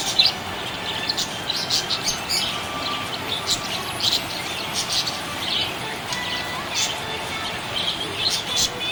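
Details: Budgerigar in a happy mood chattering steadily: dense high-pitched chirps and scratchy notes repeating irregularly for several seconds, with a faint whistled line and steady hiss.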